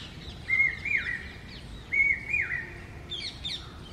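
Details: Common hawk-cuckoo, locally called papiha or brain fever bird: two loud shrill whistled phrases near the same pitch, each a flat note then a falling slur, about 1.5 seconds apart, with faint chirps from other birds at the end.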